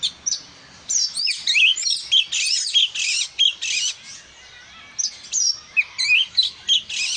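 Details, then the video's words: A vigorously singing oriental magpie-robin delivers bursts of harsh, scratchy notes mixed with sweet slurred whistles, in quick repeated phrases with short gaps between them. "dengar suara burung kacer si gacor ini"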